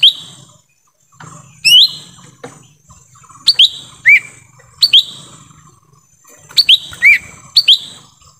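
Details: Lesser green leafbird in forest, a lure recording for wild birds: loud rising whistles, mostly in pairs, about eight bursts over eight seconds, separated by soft buzzy notes and a brief silence near the start.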